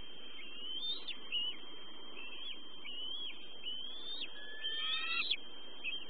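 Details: Eagle on a Southwest Florida nest cam at 6:37 PM EDT on 17 March 2013, during more fish and family time, giving thin, high, chirping whistles in short bursts and a stuttering chatter near the end, over electronic whine and low rumble.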